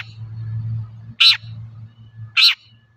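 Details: Long-tailed shrike serving as a lure to provoke other shrikes into song. Two grating, screechy notes about a second apart over a steady low hum.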